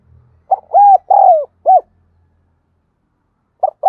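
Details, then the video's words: Spotted dove lure bird calling: one full phrase of four hollow coos, short, long, long descending, short, then silence before the next phrase begins at the end. "Tiếng Chim Cu Gáy Thúc Gù Gáy Gọi Mới Nhất || Chim Cu Gáy Mồi"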